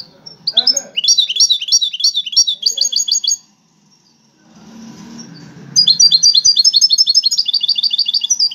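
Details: Competing European goldfinch, one of five, delivers long rapid runs of sparkling repeated chirps and trills, pausing briefly before resuming an even denser, steady twittering stream, with a faint low murmur in between.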